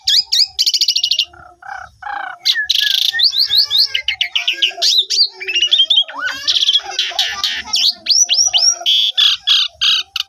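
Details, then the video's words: Asian pied starling singing in a dense, varied stream, used to prompt other starlings to sing, recorded on a phone: whistles, buzzy rattles, harsh bursts and rapid slurred chirps packed closely over ten seconds. "Pancingan Jalak Suren 100% Jitu !! Jalak Suren Macet Langsung Ikut Gajor Full Isian"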